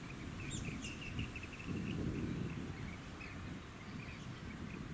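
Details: Rainbow bee-eater (Merops ornatus), Bribie Island, Queensland, October 2019: quick, slightly uneven bursts of trilled chirps at a mid-high pitch, with a few higher notes early on, set against strong low wind noise.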